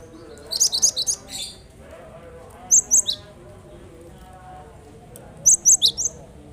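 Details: Cinereous tit song used to prompt other birds that are slow to sing, heard as clusters of three or four sharp, very high chirping notes repeated a few seconds apart over a low steady background hum.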